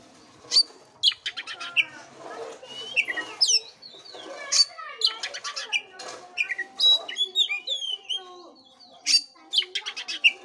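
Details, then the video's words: Oriental magpie-robin song for stimulating a sluggish bird, an energetic run of loud high whistles, fast dry rattles and swooping twittered notes, phrases following each other almost without pause. "pancingan kacer jitu dan ampuh buat kacer loyo kurang ber gairah"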